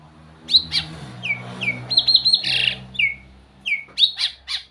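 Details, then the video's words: White-rumped shama song of varied high notes: short down-slurred whistles, quick chipping trills and a burst of harsher sound, over a low steady hum. "เสียงนกบินหลาดง ร้องเสียงเพราะ"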